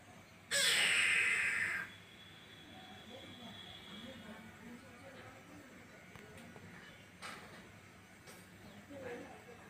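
A greater coucal gives one loud, harsh, rasping call lasting just over a second and falling slightly in pitch, followed by quiet background with faint clicks.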